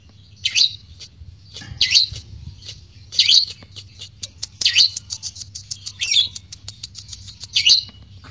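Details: Fighter lovebird in the ngekek style, used as a lure to provoke courtship arousal and singing. Sharp, high chirps come roughly every 1.3 seconds, about six in all, with many quick clicking ticks between them and a low steady hum underneath.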